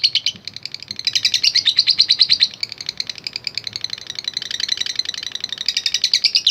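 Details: Lovebird chattering in long ngekek style, used to provoke other lovebirds, fighter type: bursts of rapid, piercing notes that rise and fall in loudness, with quieter stretches between louder runs.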